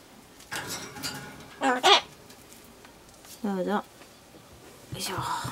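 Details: Solomons corella kept as a pet, muttering to itself before getting pumpkin, mimicking farewell phrases; a few separate human-like spoken syllables, some tonal and wavering, in a quiet room.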